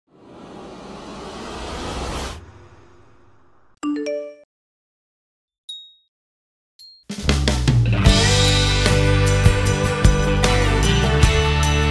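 Music with chiming, bell-like tones and brief silent gaps, with no animal sound heard.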